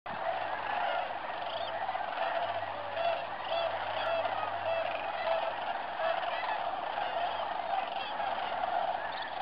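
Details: A large flock of sandhill cranes, mostly Greater with a few Lesser, keeps up a steady, overlapping chorus of rolling, trumpeting calls over a faint low hum, at Bernardo Waterfowl Management Area, central New Mexico, on December 12, 2009.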